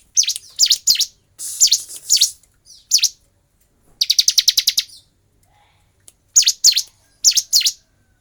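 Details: Bar-winged prinia song in a fighting context, used as a training recording for kept birds. High, sharp chirps in short bursts, with a rapid rattled series near the middle and quiet gaps between.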